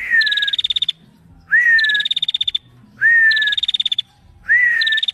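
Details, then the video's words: Female bar-winged prinia calling steadily: each phrase opens with a clear rising whistled note, then a fast buzzy pulsed trill on a higher pitch. Four phrases, roughly one every 1.3 seconds, with faint low background hum. "Prenjak Betina Gacor"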